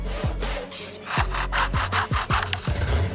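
A lyrebird imitates a crosscut saw: rasping, wooden strokes about three times a second, each with a low grinding sweep, over a faint steady hum.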